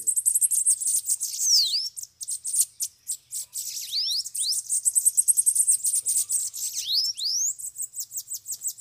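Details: Bananaquits (sibite), several gathered at a trapping cage, give a busy chorus of very high twittering notes broken by quick rising and falling slurred whistles, voices overlapping without pause.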